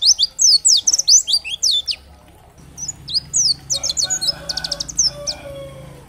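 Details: High, fast, chirping song of a dakbal-type oriental white-eye, loud rapid notes at first, then a softer, busier stretch with faint lower hum behind; used to excite other white-eyes into answering song.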